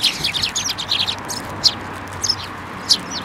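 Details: Sparrows taking food from a hand at a Tenmangu shrine on 28 December 2023: a rapid burst of high twittering chirps, followed by a few isolated sharp notes after a pause.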